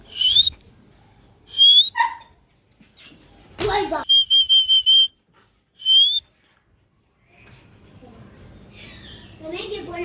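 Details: Pet cockatoo, said to talk and dance: clear high whistled notes, some rising, a quick series of five or six short even whistles, a brief harsh burst, and faint voices and room noise near the end.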